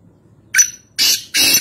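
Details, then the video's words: Close black francolin, locally Kaala Teeter, in Nawabshah, Pakistan: three loud harsh notes, a short sharp first one followed by two longer rasping ones in quick succession. "Kaala Teeter (Voice Only) | Black Francolin | Black Partridge"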